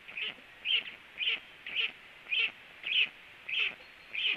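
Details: Black storks at a nest, two birds present as one lands, mid-morning: a short, bright, slightly harsh note repeated about every half second, each burst a nasal rasp with faint lower streaks beneath, steady and quite regular.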